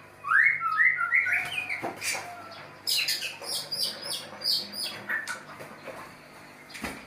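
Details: Mating white-rumped shama opening with a run of rising whistled phrases, then a burst of rapid clicking, chattering notes repeated quickly, tapering off; faint electrical hum in background.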